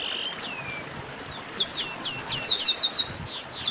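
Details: A chestnut-capped blackbird gives its 'baderna' song: a slurred descending whistle, then a lively burst of high, sharp, downward-flicking notes repeated in quick succession.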